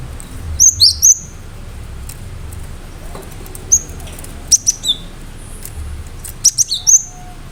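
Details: Cinereous tit (gelatik batu) singing energetically with sharp 'shot' notes meant to provoke other birds into answering; three bursts of high, clipped whistled notes with falling tails, separated by pauses, over a low steady hum.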